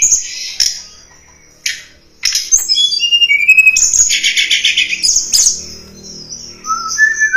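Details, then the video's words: Blood-breasted Flowerpecker lure song used to attract wild birds: sharp high chips separated by pauses, then a fast twittering buzzy series and thin sliding whistles, with a faint low hum underneath. "Suara Pikat Tledekan Gunung"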